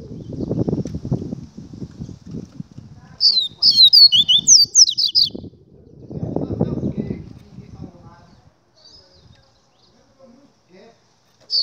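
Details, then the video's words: Double-collared seedeater song, a quick burst of high, sharp, falling whistles, set between stretches of human talking. "Papa Capim Gladiador Na Camera Exclusiva"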